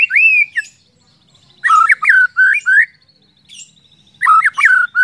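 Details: White-rumped shama lure song meant to spur other shamas into loud singing: rich, fluty whistled phrases in bursts, mixing sliding notes and short downward slurs, separated by brief pauses.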